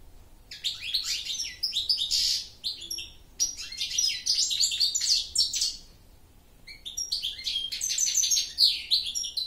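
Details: A goldfinch sings three long phrases of lively, jangling twitters, with rapid chirps and downslurred high notes separated by short pauses.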